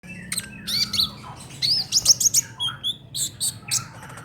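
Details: Brown-throated sunbird in the trotol song style, used as tutor song for songbirds: rapid high twittering of short sharp chirps and upslurred whistles, with quick bursts separated by brief gaps.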